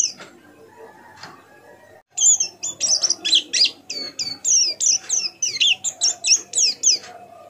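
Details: After a quiet opening, a white-eye used as a tutor bird bursts into a quick series of high, thin downslurred whistles and chirps, evenly spaced, with a low hum behind.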